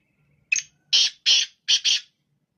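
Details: Black francolin calling in the morning, a single phrase opening with a short note and followed by four loud, buzzy, scratchy notes.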